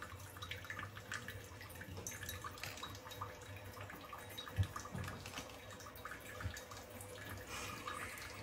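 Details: Indoor dripping and splashing of water from a tap, with a low hum and no bird calls.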